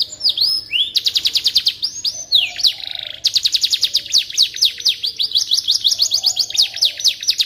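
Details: Canary in full song as tutor for white-rumped shamas: dipping whistled notes, then long rolling trills of fast repeated chirps, briefly broken by a buzzy churr, continuing energetically to the end.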